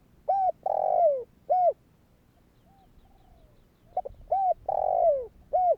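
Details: Two rhythmic coo phrases from a spotted dove calling to set off other doves: each has a short coo, a long buzzy downslurred note and a rounded final coo, with a faint soft sound between phrases.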